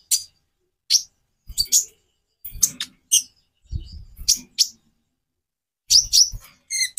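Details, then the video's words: Van Hasselt's sunbird (konin) giving separated bursts of piercing high chips and twittering notes, gaps between each, with dull low knocking noises in the background. "Variasi kicau burung Konin bikin burung lain gacor"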